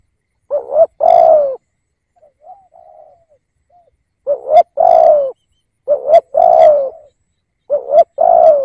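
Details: Spotted dove kept as a decoy to draw in wild birds, repeating a low, throaty coo phrase four times: a quick two-note lead-in, then a drawn-out, gently falling coo. A faint soft warble sounds between the first and second phrases.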